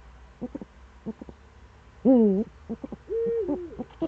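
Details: Eurasian eagle-owl, Eifel, morning of 26 September 2013: short clipped notes, a loud wavering call at about two seconds, then a steady drawn tone dipping at its end, with quiet notes around it.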